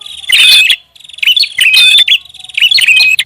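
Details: A prinia lure call of quick, scratchy chirping phrases with thin whistled notes, three bursts in close succession.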